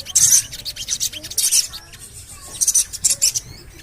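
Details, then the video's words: Javan cochoa lure call meant to get birds singing: short bursts of piercing high 'cuit cuit' chirps, spaced irregularly about once a second, with quiet gaps between. "CUIT...CUIT...CUIT PANGGILAN SOGON AGAR BUNYI"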